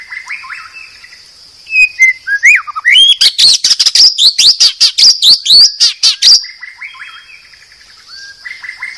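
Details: Medan-type white-rumped shama song used as a master recording for training cage birds: soft whistled phrases, then a loud burst of rapid sharp chips and buzzy notes, about two per second, before quieter whistles return.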